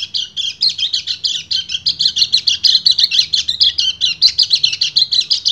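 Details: Continuous 'ngecir' song of a male white-eye calling a female in breeding condition, a fast, high, buzzy, rattling chatter of tightly packed notes with no pauses.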